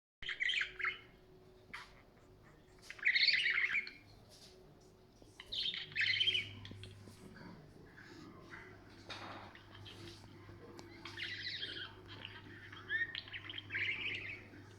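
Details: Pet budgerigar near a phone chatters in bursts of scratchy, warbling chirps with short pauses between.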